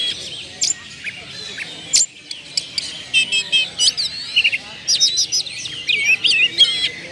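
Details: Oriental magpie-robin singing as a lure to make other birds sing: brief high whistles and sharp metallic chips in bursts, separated by short quieter gaps over faint background chatter.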